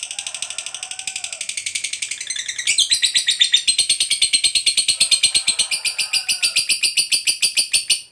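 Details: Lovebird fighter giving a long 'ngekek panjang' chatter, used as a lure to make other lovebirds answer; a fast, unbroken stream of harsh, high buzzy pulses running about eight seconds, growing louder partway through, with no other sounds.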